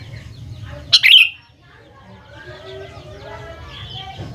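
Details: Sooty-headed bulbul, played as a lure to draw responses from young birds: one sharp, bubbly two-part phrase near the start, then faint, distant chirping over low hum.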